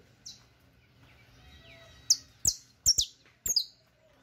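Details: A criollo canary, presented as song for teaching other canaries, gives a few bright, high chirps in quick bursts, some doubled, spaced about half a second apart over a quiet background.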